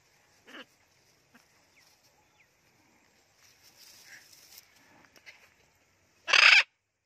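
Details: Blue-and-yellow macaw, a talking pet bird, playing in a garden: one short, loud, harsh squawk near the end, a fainter brief rasping call near the start, and quiet rustling and soft patter in between.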